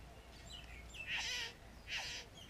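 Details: A male Satin Bowerbird at his bower on a neighbouring property, amid courtship, gives a few thin, falling whistles, then two harsh, rasping churrs about a second apart, over a faint background hum.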